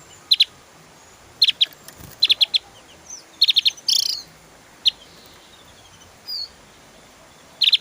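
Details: Javan grey-throated white-eye (opior Jawa) in full, energetic song in the 'tembakan' style, used as a master recording to train songbirds: sharp, high chirps in quick bursts of two to four notes, separated by short pauses, with a few thin squeaks.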